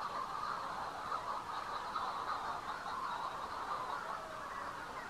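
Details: Manx shearwaters calling near the Bardsey Bird and Field Observatory on Bardsey Island; a dense, continuous chorus of harsh mid-pitched calls blends into a rough, unbroken wash of sound.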